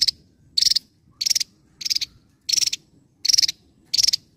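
Javan tesia: seven short, high, chattering bursts of rapid ticking notes, repeated about every two-thirds of a second. Faint low background rumble.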